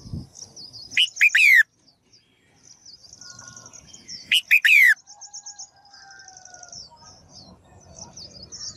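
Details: Female bird's calls used to make males sing actively: two loud, harsh sweeping bursts separated by fast, high, trilled twittering and soft chirps.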